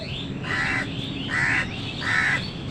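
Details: Three grating crow caws at steady intervals of about three quarters of a second during a fight over food with wild birds, with short upslurred bird notes in the background.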